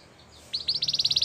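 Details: Brief burst of Gloster canary song: about a dozen rapid, evenly repeated high chirps forming a quick trill.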